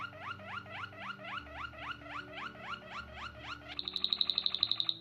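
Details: White Waterslager canary, a Belgian singing breed: rising notes repeated about four times a second, then a fast, bright, high trill of even beats near the end; faint low hum beneath.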